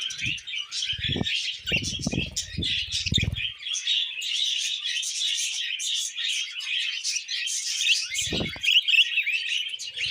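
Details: Constant bright chirps and buzzy warbles from several pet budgies fill the recording, with a series of low thumps early on and another later.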